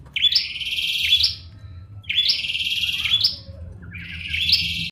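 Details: Bar-winged prinia singing energetically: three long, dense buzzy trills of about a second each, high-pitched with sharp chirps at start and end, separated by short pauses.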